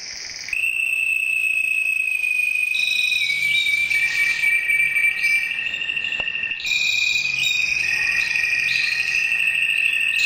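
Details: Red mosaic canary, milky white with orange stripes on both wings, singing fast buzzy rolls and high fluttering trill phrases. They are layered over a steady, unbroken high tone that runs almost the whole time.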